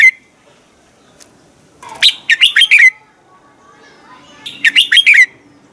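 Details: A red-whiskered bulbul sings in the morning to coach other birds: two lively phrases of five quick, lilting whistles each, the last note sliding downward, spaced about two and a half seconds apart.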